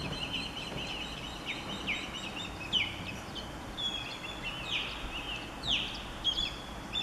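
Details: Female osprey calling out from her nest, stressed by a third intruder osprey around all afternoon; a series of sharp, downward-sweeping whistled chirps roughly every half second to second, with a high insect drone behind.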